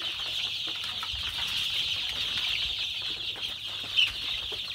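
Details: Desi (local Pakistani) chicks on a farm in Pakistan, many birds peeping at once in a steady, high, shrill chorus that runs without pause, with one slightly louder chirp near the end and faint low background rumble.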